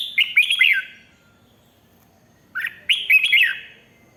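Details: Red-whiskered bulbul in Thailand, continuous song meant to stir up other birds: a quick bubbly phrase of three or four looping whistled notes, silence, then a near-identical phrase repeated, clear against a quiet background.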